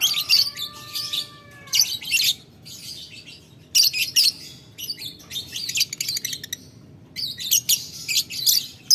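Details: Lovebird calling a rival in ngetik ngekek fashion, answered by another lovebird. A soft, lower, wavering whistle opens, followed by repeated bursts of piercing high chatter and rapid ticking with gaps between.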